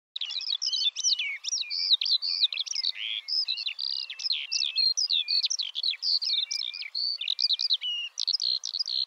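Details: Eurasian skylark (Alauda arvensis) singing: a continuous, rapid outpouring of high warbled and chirped notes, slurred whistles and trills running without pause for the whole stretch.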